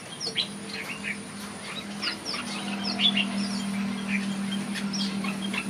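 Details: Red-whiskered bulbul in an aviary giving short, bright chirps and slurred whistles at an uneven pace over a steady low hum and a faint high whine.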